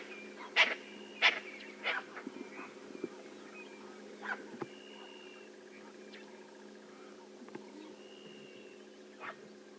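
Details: Lilac-breasted rollers (Coracias caudatus) on a rainy-season morning drive, 6 September, squabbling with rival rollers: harsh, rasping squawks, three close together then scattered ones, over a steady low engine hum.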